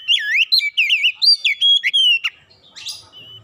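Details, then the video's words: Oriental magpie-robin singing to attract other magpie-robins: a rapid run of loud, looping, slurred whistles that rise and fall, packed closely for about two seconds, then a harsh note and a fainter trailing whistle. "kicauan narik perhatian Kacer lain"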